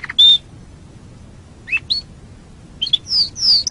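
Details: Canary master song for training other birds: scattered loud notes with pauses, a sharp whistled note, short rising slurs, then a pair of bright descending whistles near the end.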